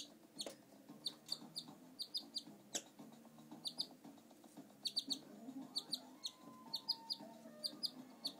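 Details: Indoor pet male canary calling with rapid, high, sharp chirps in clustered bursts, a faint steady whistle-like tone rising in the middle range late on, and low hum beneath.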